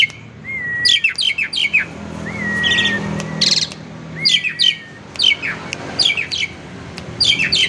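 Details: Lure song of a captive Asian pied starling: slurred whistles that rise and then drop, each followed by clusters of sharp, scratchy chirps, with short pauses between phrases in a quiet setting.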